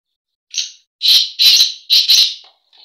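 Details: Breeding call of a black francolin. A short, high introductory note leads into three loud, scratchy, clipped bursts. A faint trailing note follows, with no other sounds.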